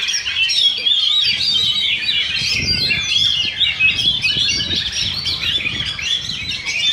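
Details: Oriental magpie-robins compete in a Sunday practice singing contest, session two, in Sindanglaut. Their song is a steady, busy flow of high fluting whistles and chattering phrases, with low crowd murmur and thumps in the background.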